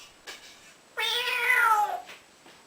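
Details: Male pet African grey parrot, rescued at about nine months and now a mimic of cats, dogs, ducks and whistles, gives one drawn-out cat-like meow. It is harmonic and gently falling and lasts about one second, with faint room noise around it.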